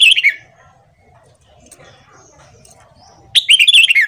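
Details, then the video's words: Red-whiskered bulbul morning song, played to train and stimulate newly caught bulbuls; a loud warbled phrase falling from high to lower pitch opens, quiet murmuring background follows, then a second bright, choppy phrase closes. "Luyện Giọng Chào Mào Hót Sáng Kích Chào Mào Bổi"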